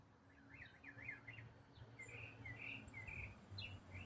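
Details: Songbird singing in autumn, part of one complex riff sustained for about eight minutes non-stop: rapid slurred up-and-down whistled notes, then short warbled buzzy phrases repeated in quick succession, over a steady low rumble and faint high hiss.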